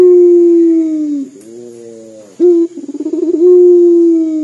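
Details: Crying-sounding call of a local puter dove: a sustained low coo sagging downward, a softer lower passage, then a sharp onset into fast throbbing pulses and another long level coo. Steady faint high whine.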